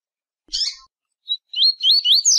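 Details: A rusty-collared seedeater (coleiro) sings a quick, high "tui-tui" type phrase: a buzzy opening note, a short chip, then a run of sweet, warbled, rising-and-falling notes. No other sounds.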